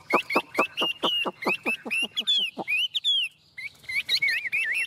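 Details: A tame Chinese hwamei opens with a fast run of about ten sharp, repeated clipped notes, then shifts into long sliding whistles and wavering, warbled phrases.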